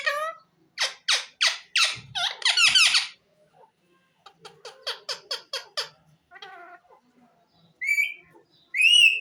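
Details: Pet ring-necked parakeet talking, a string of loud raspy syllables, then a quieter run of short even chatter notes, ending in clear whistled rising calls.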